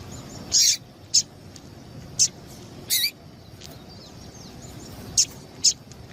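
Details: Female double-collared seedeater calling to stimulate a male to sing: short, sharp, very high chips spaced irregularly, six notes in about six seconds, over a quiet low hum.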